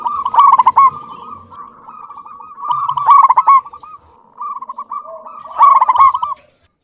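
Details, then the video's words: Rolling, trilled coos from a local zebra dove, loud bursts recurring roughly every two and a half seconds, linked by continuous softer purring notes. "Perkutut lokal GACOR suara jernih BAGUS MEMIKAT"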